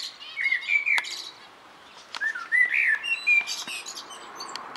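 Common blackbird singing two mellow, fluted warbling phrases a second apart, each trailing into thin, scratchy high twitters, over a quiet background hiss.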